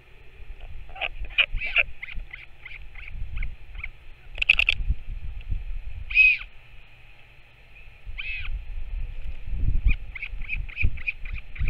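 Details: Northern royal albatross, a parent returning to feed its chick, recorded 21 May 2024: short chirping calls, some in quick runs and clusters, a louder burst midway, over steady low wind rumble.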